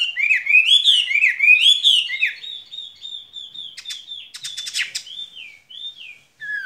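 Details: Skylark kept in a cage, singing rapid looping warbles that rise and fall, followed by a steadier thin whistled trill, a burst of scratchy buzzy notes, and brief pauses.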